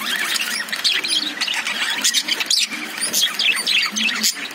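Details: Caged lovebirds, also called budgies, chirp in a loud jumble of squeaky rising notes and short harsh calls, with sharp taps and a soft low hum.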